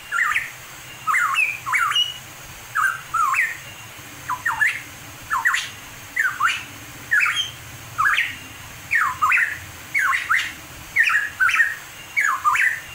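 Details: A wild pitohui in the mountains of East Java sings loud, slurred whistles, often paired and rising or falling, about once a second against a quiet background.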